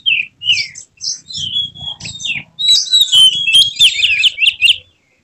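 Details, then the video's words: White-rumped shama singing emotionally with its tail spread, mixing falling whistled notes with dense scratchy high trills and rapid chattering phrases, a faint low hum underneath. "Kacer mana yang tak mau respons dengar kacer ini | buka ekor bongkar isian penuh gaya emosi"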